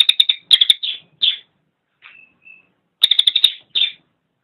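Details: Cililin singing in short bursts of rapid, sharp chips, each burst ending in a slurred buzzy note, with a faint thin whistle between phrases; used as a training recording for songbirds.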